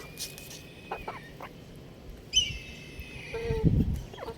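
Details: Young rooster playing on a roof: several thin high chirps, then a drawn-out nasal harmonic call that slides slightly, followed by a lower short call and a thump amid faint outdoor noise.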